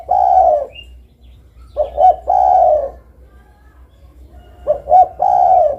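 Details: Spotted dove calling: repeated phrases of a quick double coo followed by a longer, rough, level coo, the phrase given twice with pauses between, low steady hum underneath.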